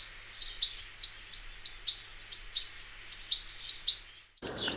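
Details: European goldfinch, a wild bird, giving a regular series of paired high, liquid chirping notes, about two pairs a second, with a low hum behind and an abrupt noisy ending.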